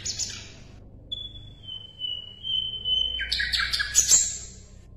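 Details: Asian brown flycatcher singing as a master recording for competition songbirds. A short, buzzy burst leads into one long, thin, steady whistle, which ends in a fast, loud, scratchy chatter.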